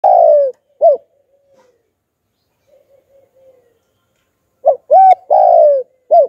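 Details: Spotted dove calling in the 'hạp bổi' voice style, used to lure wild doves: a drawn, falling coo and short clipped coos, then soft faint murmurs in a pause before the arched coos and long descending coo return.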